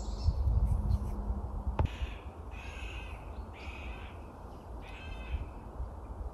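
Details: Middle spotted woodpecker in late winter (January), filmed by phone at orchard meadows by a forest edge. It rarely drums and instead gives this quacking call: three drawn-out, nasal, squeaky quacks about a second apart, over low wind rumble and handling noise.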